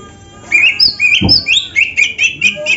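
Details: Lively oriental magpie-robin song meant for training other birds: a fast run of clear whistles, upslurs and sharp chirps, nearly nonstop after a quiet half-second opening, with one soft low thump partway through.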